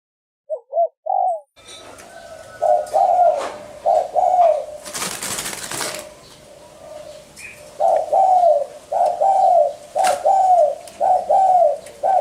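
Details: Spotted dove coos in a repeated low rhythm, briefly broken by a loud burst of rustling or handling noise, then continuing as steady paired hoots about once a second.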